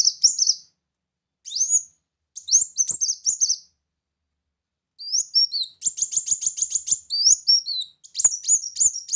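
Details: High, twittering phrases of a brown-throated sunbird played as a lure, broken by short gaps, including a fast rattling trill of dense chirps near the middle.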